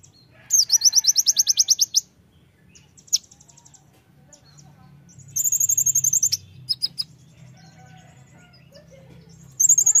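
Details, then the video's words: Oriental white-eye song, perhaps a "gacor" bird used to trigger white-eyes and others to sing: very high, rapid chattering trills in one-to-two-second bursts with single sharp chips between, over a faint low hum. "konin gacor nembak pleci"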